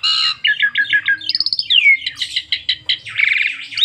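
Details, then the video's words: Asian pied starling singing a full song packed with fill-in phrases, meant as a lure to set other starlings singing: fast run of harsh chattering notes, a sliding whistle dropping in pitch, then buzzy rattles and squeaks in quick succession. "BURUNG JALAK SUREN NEMBAK FULL ISIAN PANDAI PANCING JALAK SUREN JADI GACOR"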